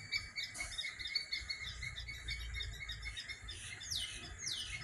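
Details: Several birds singing in the morning: a busy layer of high thin chirps and twitters, with two sharp descending whistles near the end, over a low steady rumble.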